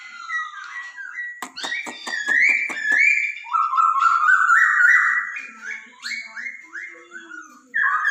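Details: Laughingthrush song played to encourage a pet bird to sing: a burst of sharp clicks, then flowing whistled notes and tumbling warbles sliding up and down, clean and loud.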